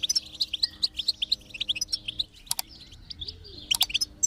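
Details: Goldfinch song used to get a silent goldfinch singing: a rhythmic series of bright high chirps about four per second, a short pause, then more chirps over a faint low hum.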